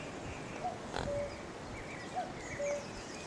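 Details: Singing in a tree on May 3, 2018, a cuckoo gives two falling cu-coo pairs, each a short high note then a longer lower one, against a broad hiss of outdoor noise.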